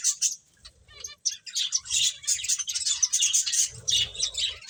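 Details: Busy high-pitched chirping from playing finches, a short burst, a near-silent gap, then nearly three seconds of quick overlapping tweets with light low rustling.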